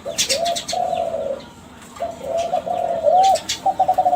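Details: Kelantan-strain spotted dove, a young bird from champion contest stock, sings a lure song to set other doves calling: low husky coos with a rolling stutter, a brief pause, then more coos and a trilled ending. Faint chirping behind.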